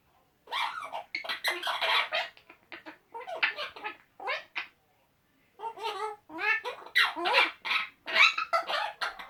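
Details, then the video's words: Male Eclectus parrots, two together indoors, chatting away with silly noises; irregular bursts of squawky, gargling and giggle-like syllables, a short gap, then more rapid harsh chatter. "Eclectus boys making silly noises"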